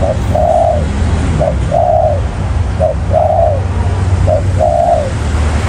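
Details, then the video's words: Spotted dove cooing, kept as a caged bird, a strong-voiced male: low hollow coos in repeated phrases, a short note followed by a longer drawn-out coo, about every 1.3 seconds, over steady background noise. "Bổi nổi sấm đồng cườm cao | cứng gù"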